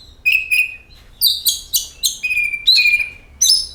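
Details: Oriental magpie-robin singing, a lure to set other birds singing: sweet level whistles, a cluster of rapid buzzy chips, then a clear drawn-out whistle and a final sharp note.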